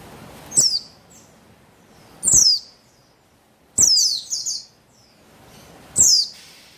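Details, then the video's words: Female Javan white-eye of the buxtoni form, used to stir a male into singing: four sharp, very high chirps that slide downward, spaced about one and a half seconds apart, with near silence between them. "Buxtoni Betina Memancing Bunyi Burung Pleci Bahan Agar Bustomi Gacor Ngalas"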